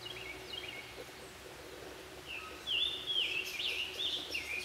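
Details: Male and female Red-headed woodpeckers feeding young at a nest cavity in Jefferson County, West Virginia, on June 3, 2013: scattered soft notes, then a louder run of harsh, wavering high calls from about 2.5 seconds, over steady background hiss.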